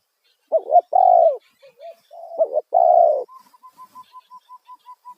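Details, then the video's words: Spotted dove calling loudly in the 'kuk satu' style to attract wild birds. It gives two hollow cooing phrases, each ending in a long, full coo. A steady run of short, even, higher notes follows. "Panggilan suara tekukur kuk satu suara lantang auto burung liar respon"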